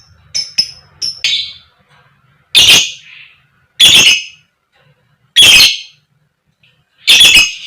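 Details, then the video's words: Female fighter lovebird calling 'koek koek' to draw other lovebirds into song: several quick high chirps open the sequence, then four loud, rasping squawks follow at intervals of about one and a half seconds. "Pancingan Lovebird Betina Biar Cepat Gacor, Lb Koek Koek, Lovebird Chirping Sound"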